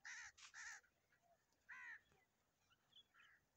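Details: Crows frolicking in the fields of Punjab, Pakistan: three harsh, nasal caws in quick succession, a fourth after a short pause, then faint higher bird notes against quiet open-air background.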